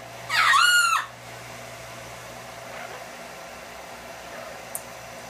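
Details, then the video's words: A captive yellow-naped amazon parrot, hatched in 1987 and agitated by a blow dryer, gives one loud, harsh, shrieking half-second call with a squawky rising-then-falling tone, followed by the dryer's steady mechanical hum. "yellow naped amazon Brian blow dryer drama"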